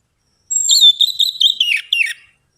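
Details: Orange-headed thrush, its song used as a lure to encourage singing. It gives one clean phrase of quick whistled notes on a steady pitch that drop into a few lower slurred notes, in an otherwise quiet setting.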